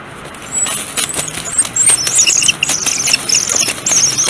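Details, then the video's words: Eagle defending its nest as an unwanted adult eagle intrudes, the resident male attacking: rapid, high, thin squealing chatter, many short notes in quick bursts, over steady broadband rushing noise. "Intruder Invades Nest"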